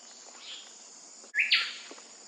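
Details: Wilson's bird-of-paradise in West Papua, late July to mid-August: a single loud, harsh, broadband burst of call notes after a brief pause, over a steady high-pitched insect drone and faint background chirps.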